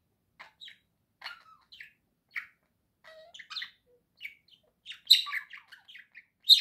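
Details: Budgerigar kept as a pet in a steady, rambling warble of short chirps and buzzy squeaks that grows louder and denser toward the end.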